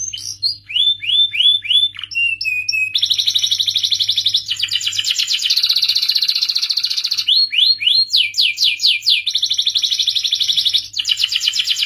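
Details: Agitated canary song played to encourage males to mate and sing: a series of falling swept notes, a short flat whistle, then long rapid rattling trills alternating with quick upward sweeps; faint low hum beneath.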